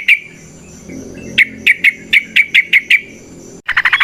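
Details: Natural-sound yellow-vented bulbul, a lively 'gacor' singer used to lure and prompt other bulbuls to sing. A single chirp, then a steady run of sharp, evenly spaced notes, ending in a dense burst of chatter.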